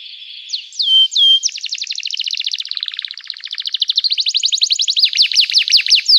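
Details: Energetic canary song for stirring other canaries to sing, with a few upslurred whistles leading into long fast rattling trills that shift pitch and end in sharp rising notes.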